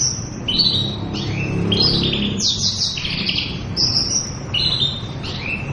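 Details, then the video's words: Full ngeriwik song from a female Oriental white-eye: high whistled and buzzy notes, many falling in pitch, in varied phrases with brief gaps, over a soft low background hum. "Ratu ngeriwik!!! Pleci betina sedang ngoceh ngepoll"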